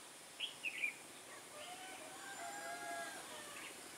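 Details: Trapping session for red-whiskered bulbuls, 21 October 2017, with a decoy singing hard: three quick clear chirped notes in under half a second, then fainter lower tonal sounds from other birds.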